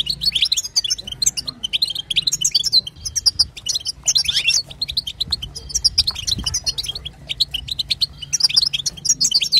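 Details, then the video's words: European goldfinch female chatter for encouraging a male to sing: clusters of high, rapid twitters recurring every second or two, each burst a tangle of chirps and buzzy trills. "بتبتة وستسته حسون تجعل الحسون يغرد"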